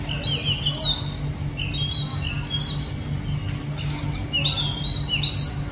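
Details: Oriental magpie-robin singing amid city surroundings: clear whistled phrases of slurred, sweeping notes repeated every second or two, with a steady low droning hum from urban machinery throughout.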